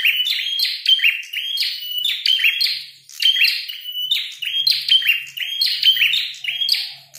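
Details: A prinia, a red-headed prinia ("prenjak kepala merah"), sings in sparring or fighting mode: a fast, nonstop run of sharp, high chirps and buzzy notes, about three per second, with no other sounds.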